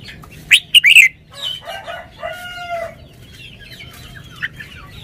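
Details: Red-whiskered bulbul performing its song style: an emphatic, close burst of three sharp, chirpy warbled notes in the first second, followed by a harsh, harmonic crowing call and faint, distant twittering.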